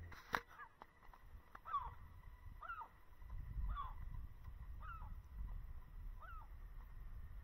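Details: A gull over Lake Baikal's Maloye More islands in early April 2024, surprisingly early in the season while the lake is still ice-covered, gives short, downward-slurred mewing calls about once a second over steady low wind rumble.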